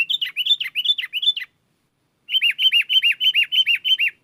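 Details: Sooty-headed bulbul in lively gacor song luring wild bulbuls; a rapid string of slurred chirps, a silent gap of nearly a second, then eight evenly spaced arched whistled notes.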